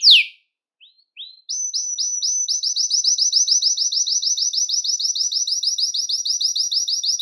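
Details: A Belgian canary sings to stimulate males and ready females for breeding. A sharp downslurred note and a few soft chirps are followed by a sustained, very high trill of rapid, regular pulses.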